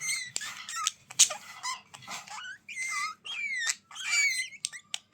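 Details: Budgerigars chattering: a continuous run of high warbled notes, rising and falling whistled slurs, and scratchy buzzy chirps in quick bursts separated by brief pauses.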